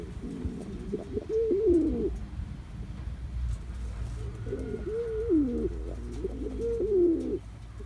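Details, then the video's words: Three deep, warbling coos from a young male Cuban Pouter pigeon working on his courtship dance, the first alone and the last two close together, with a steady low hum beneath. "Cuban Pouter - Perfecting his dance - young male"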